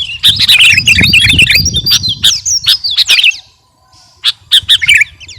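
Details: Caged sooty-headed bulbul, called kutilang garuda, in lively training song: a fast run of chirps and slurred whistles, a short silence, then a few sharp notes return, with low rumbling noise beneath.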